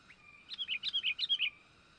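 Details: Young sooty-headed bulbul call used to lure wild birds: a quick burst of about eight bright, bubbly chirps in one second, each note sliding down, over a thin steady background tone.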